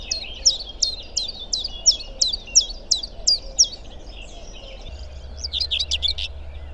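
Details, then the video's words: Common chiffchaff singing among riverside branches in May in Małopolska, Poland: a steady run of high, sharp notes alternating up and down, about two per second, over a low rumble, with another bird briefly at the end. "Wśród gałęzi słychać koncert ptasich śpiewów, pierwiostnek."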